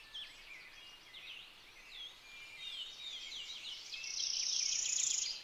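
Purple finch giving a fast, rambling warble of bright high chirps and slurred notes, ending in a sustained buzzy high trill over faint background hiss.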